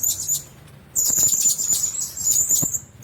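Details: Blue-crowned hanging parrots kept together in one cage give thin, very high, sustained shrill notes that break off, then resume after a pause in a long wavering ribbon of sound, with faint ticks and rustles underneath.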